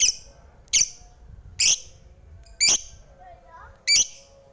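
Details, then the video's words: Lovebird uttering loud, harsh, piercing shrieks spaced about a second apart, five in all, between quiet gaps with a faint low hum and a brief rising squeak. "Suara Merdu Burung lovebird"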